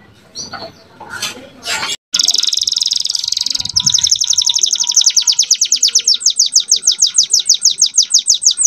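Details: Young canary master song aimed at rousing other canaries and bringing females into breeding condition; faint chirps first, then a steady high trill giving way to quick repeated downslurred notes, about three per second.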